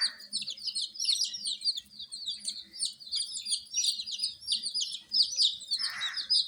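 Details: Many small colour chicks, domestic baby chickens given warmth, peep continuously in a shrill overlapping chorus of short downward-sliding notes; a brief soft rustle breaks in near the end.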